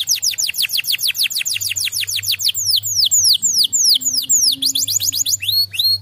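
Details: Canary singing right after hearing another canary's song: fast trills of sharply down-slurred whistled notes, about three or four a second, the phrases changing pace and shape, with a faint low hum beneath.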